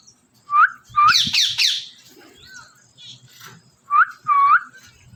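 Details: A parrot gives short, clear whistled notes that rise and fall, a few harsher buzzy squawks in between, then two more upslurred whistles, with faint low background noise.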